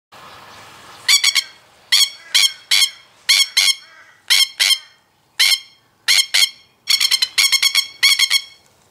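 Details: Masked lapwing, also called spur-winged plover, in threat display: very loud, harsh rattling calls in rapid stuttering bursts of two to six notes, repeated irregularly after a quiet start.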